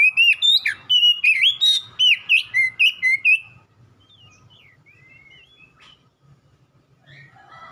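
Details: Oriental magpie-robin song intended to make a caged bird respond: about three seconds of rapid, varied whistled notes with sharp slurs, then soft scattered twitters and quiet.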